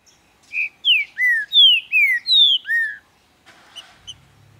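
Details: A captive-raised green-winged saltator (Saltator similis) in Ribeirão das Neves, Minas Gerais, Brazil, singing hard: a rich phrase of about seven clear, slurred whistles alternating high and low over roughly two seconds, followed by faint rustling.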